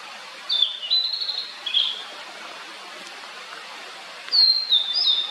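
A blue-and-white flycatcher gives two short bursts of clear, high whistled notes that slide and warble, a few seconds apart, over a soft background hiss.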